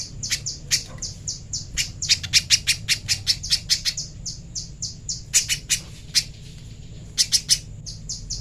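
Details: Master song of a little spiderhunter for training: repeated dry, high, ticking chips in fast bursts and slower spaced runs, some very rapid clusters, over a quiet steady hum.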